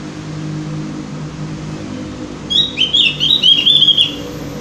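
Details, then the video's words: Javan grey-throated white-eye (cucak gentong), played to encourage birds to sing regularly. After a quiet start comes a quick run of high, chattering, slightly descending twitters lasting about two seconds. "pancingan burung opior jawa atau cucak gentong agar rajin bunyi"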